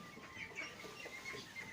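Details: Four-week-old laying ducks, of unknown sex, with new feathers replacing their down and voices starting to change, peep and give rough, hoarse quacks, several voices overlapping in quick, uneven bursts, with a faint background hiss.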